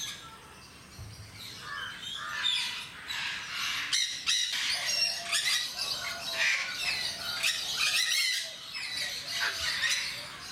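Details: Jenday parakeets at Mysore Zoo give a steady chorus of harsh, grating squawks and chattering notes, several birds calling over one another almost continuously.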